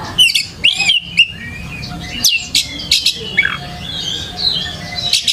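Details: Oriental magpie-robin lure song intended to make other kacer sing along: a few loud clipped whistles and chirps at the start, then softer rambling warbles and scratchy notes before a final sharp burst.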